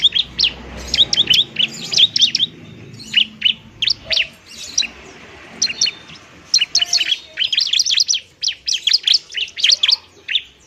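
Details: Bar-winged prinia in fighting song, used as a lure to stir lazy birds into singing: rapid bursts of sharp, high chirping notes in quick clusters, with brief pauses between bursts.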